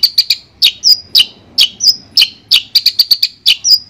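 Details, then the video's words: Long-tailed shrike of the Madura kind giving a clear master song: paired sharp chips alternating with drawn-out thin whistles, several a second, in an uneven rhythm. "Suara Jernih Masteran Burung Cendet Madura"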